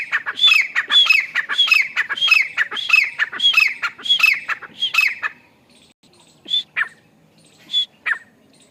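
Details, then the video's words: Grey francolin giving loud, harsh, ringing notes about every 0.6 seconds for five seconds, then a few separate squeaky calls after a pause. "Grey Francolin call 🤙फ्रेंकोलिन एक तीतर है? || प्यारी तीतर कीआवाज"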